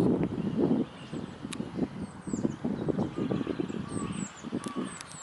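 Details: A mute swan pair flies over the Neuer Teich at 7:05 on 27 March 2016, making a low, rhythmic throbbing of wingbeats, several pulses each second, with thin, high songbird whistles and chirps in the background.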